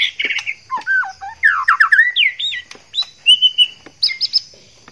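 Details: Male white-rumped shama in breeding condition courting a female: rich, varied whistled phrases with rising and falling slurred notes and quick chirps, delivered in rapid bursts over a steady high background hum.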